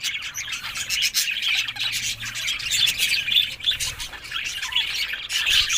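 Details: Happy budgerigars in a group chattering nonstop, a dense blend of warbled chirps, squeaks and sharp clicks overlapping throughout with no pauses.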